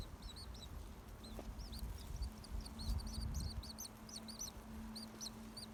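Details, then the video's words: Baby birds crying in their nest in a garden tree: scattered thin, high upslurred peeps, sometimes in quick clusters, over a steady low hum and faint rumble. "かわいい雛鳥の鳴き声 巣の中のひな baby birds,crying peep-peep"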